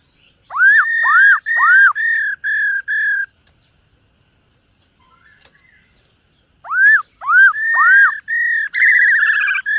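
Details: Black-throated laughingthrush in morning voice practice, dancing while it sings: arched upswept whistles and held flat notes in two bursts separated by a few seconds of quiet, the last note richer and buzzier.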